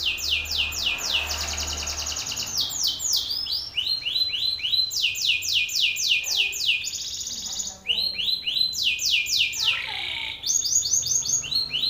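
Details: Male Belgian canary singing forcefully in front of another male: long run of varied fast trills, high descending sweeps and tight rattles, changing tempo every few seconds, with a faint low hum early on.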